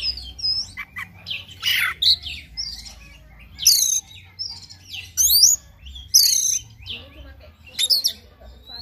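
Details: Morning white-rumped shama song used to spur a bird into vigorous singing: bursts of rich sweeping whistles and rapid varied phrases every second or so, with low hum behind.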